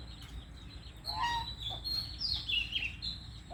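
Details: White-rumped shama singing a short phrase of clear, high whistled notes with slurred, gliding elements, one lower note first, then rapid higher notes, over a steady low background hum.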